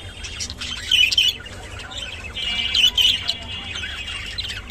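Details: Kept rainbow budgerigar warbling in short bursts of high, twittering notes with a few clear whistled dips near one second and again near three seconds, separated by softer chatter.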